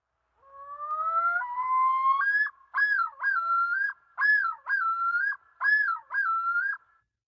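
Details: A male Common Loon in Minnesota gives the yodel, a territorial-defence call made only by males: rising wailing notes lead into about five loud, repeated two-part whistled phrases, each swooping up then held, roughly a second apart.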